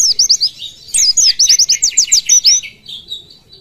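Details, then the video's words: Oriental white-eye giving a rapid, high, bright twittering burst of quick chirped notes, a brief pause, then a longer volley fading into thin trills; a song recording used to tutor captive birds. "Pleci tembakan"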